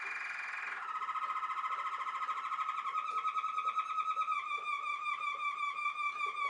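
A Waterslager canary sings low, rich tones broken into fast bubbling, rolling trills, with a brief steady note at the start and then continuous water-like warbling.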